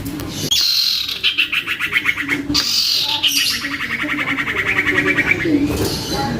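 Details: Juvenile captive common iora in excited song, used to lure responses from other irioras. High whistles fall into fast, rattling trills, and the phrases repeat several times with pulses slowing slightly toward the end.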